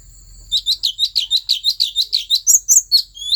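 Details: Asian fairy-bluebird from the Central Highlands forests, song used to stir up other birds: a rapid, bright series of high chirped notes about four per second, ending in a few louder sweeping whistles over a steady high tone.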